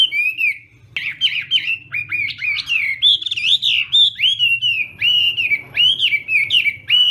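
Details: Chinese hwamei singing a contest song in morning voice training. Loud, clear whistles come in quick bursts of sweeping, looping notes. The rich phrases run almost without pause, with a faint low hum beneath.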